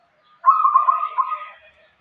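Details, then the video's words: Zebra dove of a local strain cooing: one burst of quick, throaty warbled notes, level in pitch, with a brief pause before a final softer roll. "perkutut lokal irama gacor"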